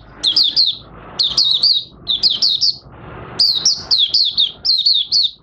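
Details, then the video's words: Oriental white-eye in captivity, August 2022, with new white feathers nearly finished colouring: repeated short bursts of bright, high twittering, each a cluster of fast down-slurred notes, the last burst longer. "Mata Puteh Raja Buka Sing"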